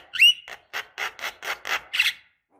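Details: Javan myna female calling a male, lure recording: one sharp rising whistle followed by a series of five or six rasping, buzzy notes at a steady pace.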